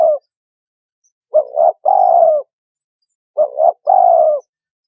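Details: Lure recording of a spotted dove: two full cooing phrases about two seconds apart, each a quick doubled note followed by a long buzzy coo, low-pitched with nothing else audible.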